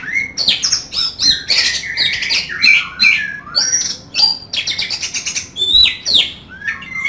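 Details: Oriental magpie-robin bursting with rough fill-in song: dense sequences of sharp whistles, scratchy buzzes and rapid squeaky notes in tight loud bursts, with clear gliding whistles toward the end.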